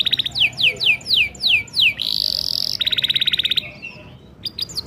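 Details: Canary song for coaxing young canaries to sing: falling whistled slurs, a harsh buzzy note, a rapid pulsed roll, then soft high chirps.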